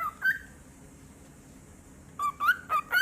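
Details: Pet cockatiel guarding its toys, giving short clear chirps with rising and bending pitch: a quick pair at the start, then a burst of four or five after a quiet pause, over faint background hum.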